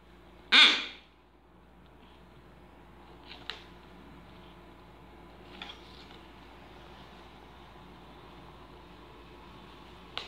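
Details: A blue-and-yellow macaw (Ara ararauna) gives one loud, harsh, raspy squawk near the start. A few faint clicks follow in a quiet indoor room.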